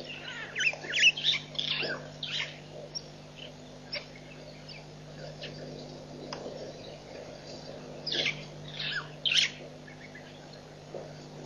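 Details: White-backed vultures at Nkorho Pan, recorded 24 September 2007: scattered harsh, squealing bursts in irregular clusters, with quieter gaps between them over a steady low hum.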